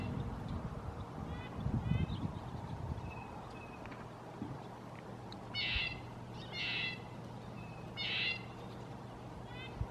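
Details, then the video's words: Red-breasted nuthatch calling: three nasal, horn-like notes in the second half, about a second apart, with faint high chirps earlier and a constant low hum underneath. "Red breasted nuthatch"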